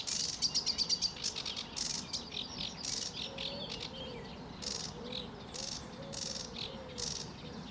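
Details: Sedge warbler song at RSPB Fowlmere on a sunny July 2013 morning: rapid clicking notes opening into scratchy, varied chatter, while a lower, soft whistling bird calls repeatedly in the background.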